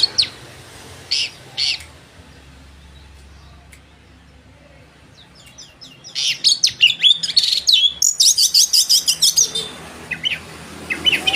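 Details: Oriental magpie-robin in full song, used as a lure to provoke rivals: a few scratchy high notes, a quiet gap, then a long run of fast, varied chirps, trills and sharp whistles repeated about three times a second.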